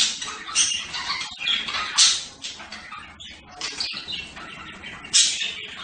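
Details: Budgerigar chattering: dense, scratchy, high warbling with sharp squawks bursting out near the two-second mark and again near the end.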